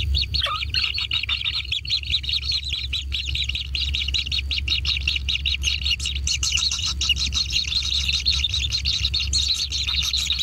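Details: Begging kingfisher nestlings at a natural nest during feeding, giving a continuous fast stream of high, scratchy chirps that swell toward the end, over a constant low rumble.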